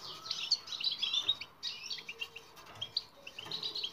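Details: European goldfinch twittering batbata, meant to make silent goldfinches sing: two bursts of dense, tinkling chatter with buzzy trills, separated by a short pause of isolated chips, over faint background noise.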